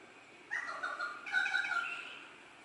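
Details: At dawn in rainforest at Port Douglas, northern Queensland, an orange-footed scrubfowl gives one loud, raucous, slightly wavering screech of about two seconds against a quiet background. It is a nightly screecher that also calls after midnight.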